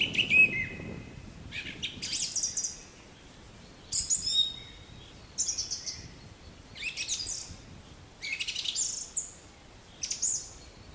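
A black-capped chickadee gives bursts of high, buzzy, scratchy notes roughly every one and a half seconds, with a soft hiss between the bursts.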